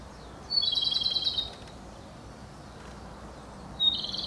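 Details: Singing Japanese robin, one of Japan's three celebrated songbirds: a sharp opening note followed by a rapid, rattled trill about one second long, then a pause and the start of another phrase, with a faint low rumble behind.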